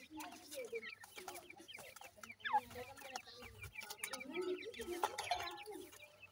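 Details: Francolin chicks, locally called dakhni teetar, in Punjab, Pakistan: several young birds give rapid, overlapping thin chirps and short falling peeps with a few lower clucking notes, over frequent knocking and rustling and a steady low hum.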